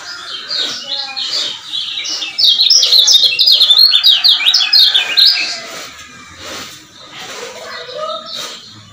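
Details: Lure call of a male lemon-bellied white-eye from Lombok, meant to make other males excited and vocal. Soft chirps build into a loud, fast stream of sharp, high twitters over about three seconds, then fade to quieter calls and low sounds.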